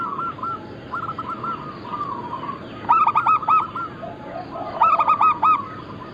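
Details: Zebra doves of local and Bangkok-cross types in a massed singing recording made to attract and train birds. Soft trilled coos from several birds, with two louder bursts of rapid ringing notes about two seconds apart.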